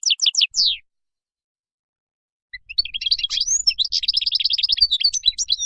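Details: Wild European goldfinch song, used for teaching young birds: a few quick descending chirps, a pause, then a dense run of twittering, tinkling high notes with buzzy trills.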